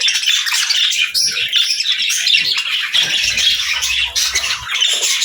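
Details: Continuous bright budgerigar chirping from happy birds, a rapid scratchy warble with squeaky peaks, with a low rumble around the middle of the clip.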